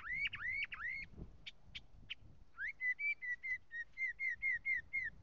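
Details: A Northern mockingbird sings clear whistled phrases: a few rising slurs and sharp notes, then one bright note repeated about a dozen times in quick succession.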